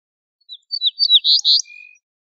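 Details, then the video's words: Ortolan bunting, a wild bird, singing a short phrase: a few quick high chirps, then two louder buzzy notes, ending on a thin, lower drawn-out whistle; clean with no background sounds. "شريط تغريد طائر البوح الفاسى"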